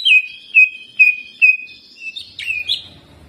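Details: Greater green leafbird in a cage singing jamtrok filled with ciblek mimicry. Four crisp downslurred whistles come at even intervals of about half a second, followed by softer, rising, buzzy notes.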